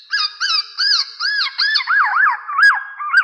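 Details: A lure call of the Black-naped oriole for trapping birds. Arched, slightly nasal whistles repeat roughly every third of a second, then shift into deeper V-shaped swoops.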